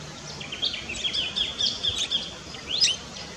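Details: In an Australian backyard, a sacred kingfisher gives a run of sharp, high, clipped notes, uneven in pace, ending with a quick rising sweep over a soft background hiss.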